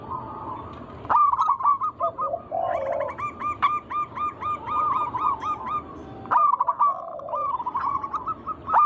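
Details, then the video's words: Chorus of local zebra doves, played to provoke other doves into singing: quick series of curled cooing notes, bursts of lower rolling warbles, and fresh phrases starting after brief pauses as birds overlap. "Pancingan burung perkutut lokal alam gacor suara mengundang bunyi langsung emosi"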